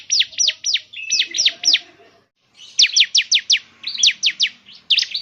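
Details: Bar-winged prinia (ciblek) song meant to prompt a caged bird to sing: two runs of sharp, high, falling chirps, several to a burst, broken by a silent gap of about half a second.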